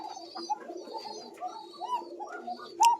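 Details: An adult female Koka domestic pigeon at a pigeon farm loft gives low, hollow, rolling coos over and over, which is unusual because females call far less than males. Other pigeons coo, with faint higher chirps nearby.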